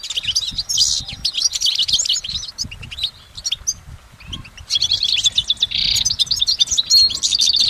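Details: Wild goldfinch in continuous song, a long, layered stream of quick, high twittering notes with buzzy trills, a brief quieter gap midway, then a dense burst of chatter.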